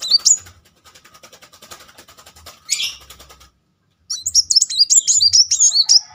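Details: Muncang sunbird's rolling song as a lure for birds that have stopped singing: a brief high note, a stretch of faint clicks and a short buzzy note, then a long burst of rapid, very high looping twitters.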